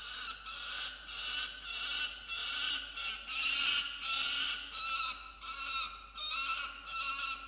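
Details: A male peregrine falcon with a captured musk lorikeet, recorded by nest-box camera at 6:09 am, 27 December 2022, screams to protect his prey; rapid, uneven, harsh calls roughly one and a half per second.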